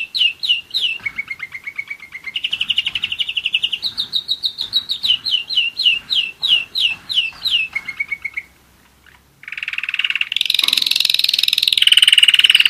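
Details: Singing German Roller-split canary, one year old: a run of repeated down-slurred whistles, then level rolling trills, more slurred notes, a brief pause, and a loud harsh buzzy burst.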